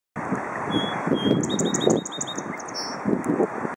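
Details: A little brown bird along North Creek, Bothell, Washington, sings high, thin notes: a few drawn-out whistles, then a quick run of about eight chirps, over steady rumbling traffic.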